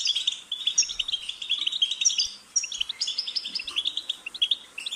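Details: Goldfinch song, a fast liquid twitter of high, jingling notes with short trills, delivered in a near-continuous stream with a slight drop in loudness midway.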